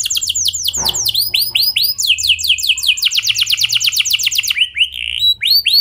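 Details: Clear rolling canary song meant to coax other canaries into singing, made of rapid series of high downslurred notes changing speed and pitch, with rolls and short chirps throughout.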